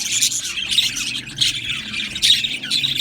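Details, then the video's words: Colony of Australian budgies kept in an aviary, chirping busily: bright warbling bursts and sharp squeaky notes pulse in loud waves about every half second, several birds calling at once above a soft background hum. "Australian parrot Chirping Sounds | Australian Budgies Parrot Singing Video"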